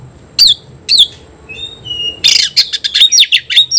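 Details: Oriental magpie-robin singing against a rival: two loud downslurred whistles, a pause with thin faint tones, then a fast burst of harsh buzzy notes mixed with sharp whistles.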